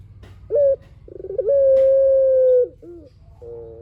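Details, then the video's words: Lively spotted dove singing as a lure to make other doves respond. A brief sharp note and a stuttering rolled lead-in give way to one long, level, steady coo over a second long, ending with short quieter coos. "PUTER GACOR SUARA PANJANG | PANCINGAN BURUNG PUTER"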